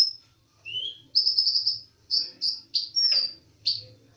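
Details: Olive-backed sunbird, known locally as konin dacok, in full song: high sharp whistled phrases and quick descending chirps in a lively, varied run, over a soft low hum.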